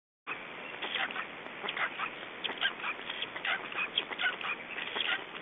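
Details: Black stork chicks left alone at their nest in Estonia on 3 June 2012 at 19:18, giving rasping, hoarse calls in quick irregular bursts over steady background hiss, with a sharp upper cutoff.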